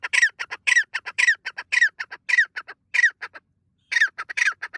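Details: Loud calling of a white partridge in morning forest at sunrise, a rapid run of harsh, rasping squawks with short pauses, roughly two notes per second, breaking off briefly before resuming.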